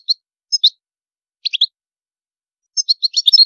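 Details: European goldfinch singing with high song phrases: short bright chirps in separate bursts, a sparse pair, a tight cluster, then a quicker run of tinkling high notes near the end.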